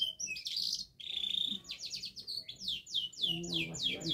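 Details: Canary in full song, said to be learning to shake its head: a long, steady, high whistle followed by a series of quick, falling whistled notes.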